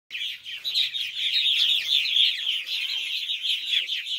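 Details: Purple martin young begging as both parents feed them before bedtime; a dense, continuous chorus of high chattering, twittering calls from several birds.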